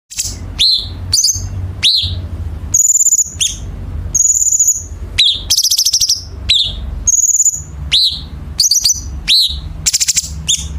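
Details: Chinese bulbul song used as training material for competition birds, harsh dense fill style: sharp downslurred chips alternate with fast buzzy rattling trills and drawn-out high whistled buzzes, delivered in quick bursts with short gaps.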